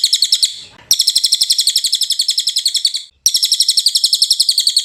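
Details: Cililin song for training caged songbirds: long runs of quick, sharp, high-pitched repeated notes, split by a soft rustle and a short silence.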